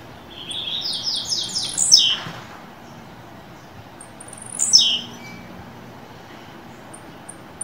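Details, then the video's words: Captive blue-black grassquit being warmed up to sing, in the fibra song style: two short buzzy phrases, each a rapid run of descending high notes ending in a sharp downward sweep, with faint ticks between. "Tiziu e Canto Esquenta seu Tiziu Agora Canto Fibra"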